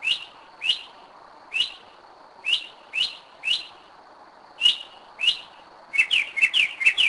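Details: At 2am in Kennesaw, Georgia, 2011, a Northern mockingbird that returns each year sings at night; sharp single downslurred chips spaced irregularly, ending in a quick rattling burst of repeated notes.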